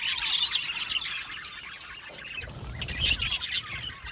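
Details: Aviary flock of budgies chirping, a busy mix of high, twittering notes and short squawks, with a low rumbling background noise in the second half.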